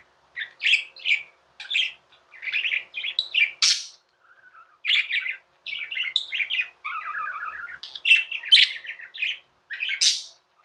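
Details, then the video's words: Tame pet budgies chirping: quick runs of buzzy, twittering notes broken by brief silences, with a soft low warble midway and a sharp high squeak near the end. "Budgies | Talking | Singing | Chirping sounds"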